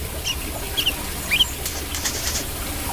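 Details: Brown-throated sunbird giving a few quick, high, rising chirps in a short burst over a faint low hum and light clicking.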